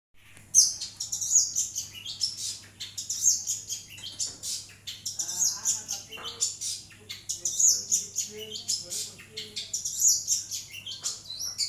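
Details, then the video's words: Long-tailed shrike singing vigorously, recorded as a master track to train other songbirds: dense, very high chattering and whistled notes in rapid uneven bursts, with a steady low electrical hum beneath. "pentet gacor masteran burung murai jawara"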